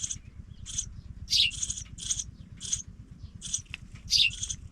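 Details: Young pipits leaving the nest give short, harsh, hissing chirps, mostly single and some doubled, repeated at irregular intervals of under a second over a low steady rumble.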